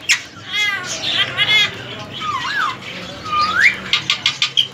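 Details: Pet ring-necked parakeet, a semi-tame three-year-old male, follows a person's speech with two wavy whistled glides, one dipping and one rising steeply, then a string of short clicks.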